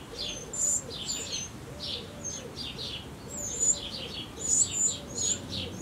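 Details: Eurasian wren nestlings begging during their last feedings before fledging. They make high, thin, piping squeaks in quick bursts with hissing rasps, while a low, soft dove cooing repeats in the background.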